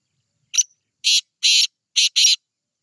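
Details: Black francolin giving a grating call phrase: a brief opening click, then four loud buzzy, broadband notes, the final pair run close together, with no other sounds.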